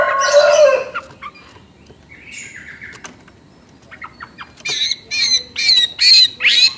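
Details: Chinese hwamei in energetic chattering ngoceh song with special fill-in phrases: a harsh rasping burst opens, then scattered short notes, then a run of loud, strong notes with sharply upswept whistles, about one every half second, near the end.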